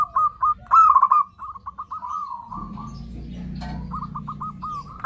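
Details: Zebra dove lure call for attracting other zebra doves: quick series of short stuttering coos and a loud rolling burst, then a softer run of clipped notes over low rumbling noise.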